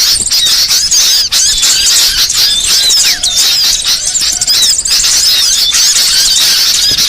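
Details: Master recording of burcil song variations for songbird training: a steady torrent of high, squeaky twitters and quick upward-sweeping notes, dense and continuous throughout.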